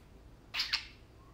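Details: Tame pet parakeets playing and talking: one short, harsh double squawk, two bright, noisy bursts less than a quarter second apart, over a quiet indoor background.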